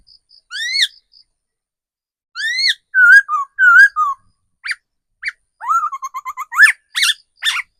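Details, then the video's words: Wild-matured decoy laughingthrush singing rising whistles, paired wavering slurs and short sharp notes, ending in a fast run of rapid repeated notes and steep upward strokes. "Tiếng chim khứu mồi già rừng"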